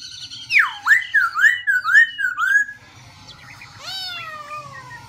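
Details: Black-throated laughingthrush changing its song continuously: a deep swooping whistle followed by a run of looping slurred notes, a pause, then long falling whistled notes, with a low hum throughout.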